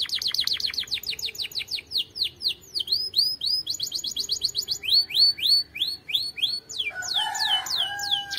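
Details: Canary's powerful training song: long series of rapid descending slurred notes in rolling tours, changing speed and pitch, ending with a short low whistled phrase under high repeated notes.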